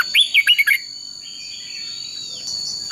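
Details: Red-whiskered bulbul fighting song for training birds. A quick phrase of five or six sweet whistled notes opens, then near silence with a faint steady hum, and a final whistle at the close.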